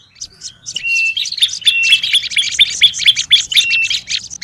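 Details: Olive-backed tailorbird lure calling, noisy: after a quiet start, rapid buzzy chips build into a dense chatter with repeated short level whistles.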